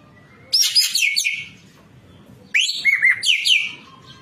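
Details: Cage-bird training recording of a white-breasted kingfisher singing vigorously: two loud, rasping, trilled bursts about two seconds apart, each with short falling whistles, over a faint low rumble.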